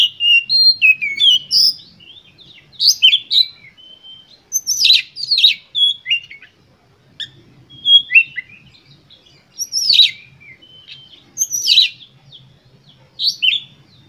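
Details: Oriental magpie-robin singing an intense lure song to provoke other birds. Varied phrases of high whistles mixed with harsh, scratchy bursts recur every couple of seconds, with a faint low rumble underneath.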